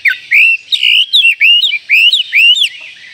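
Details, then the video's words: White-rumped shama call said to provoke other shamas within seconds: a run of loud, clear whistled notes, each swooping down then up, repeated about every third of a second with short breaks. "panggilan Kacer ini mampu mendobrak emosi semua Kacer dalam hitungan detik"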